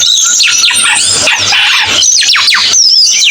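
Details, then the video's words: Cucak keling singing a dense, fast stream of high whistled and chattering notes with quick downslurred sweeps, rapid and continuous, over a faint low hum. "MP3 BURUNG CUCAK KELING"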